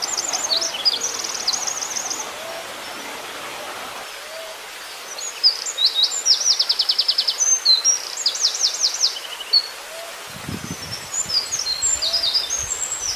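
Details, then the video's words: A wren, a small bird with a complex song, sings high, rapid, jumbled twittering phrases broken by fast rattling trills, with short pauses between bursts over a faint background hiss. "Burung Wren singer, burung kecil bersuara rumit"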